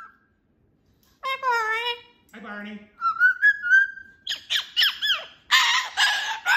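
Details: Excited pet cockatoo vocalizing: a wavering harmonic squawk, a low grating note, a steady whistled tone, then a burst of sharp chirping calls ending in harsh, broadband screeches.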